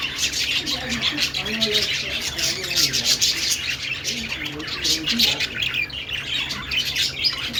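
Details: Budgie singing in rapid scratchy chatter and squeaks, mixed with softer low warbled notes and faint rubbing noises.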